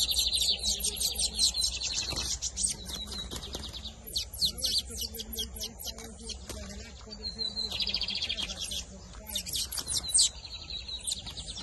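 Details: Lined seedeater (bigodinho) of the camelão and torneiro song styles in the 2023 season, dense high rattling trills and chips over a steady low hum, with other bird notes and faint voices mixed in.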